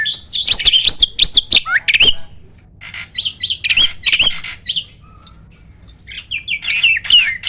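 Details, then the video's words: Captive hybrid starling, Asian pied crossed with black-winged starling, singing loud and clear: looping whistled notes repeated several times, interspersed with sharp clicks and harsh bursts, a short pause, then more wavering whistles and chatter. "BURUNG JALAK HYBIRD || GURU VOKAL SUARA ROLL TEMBAK"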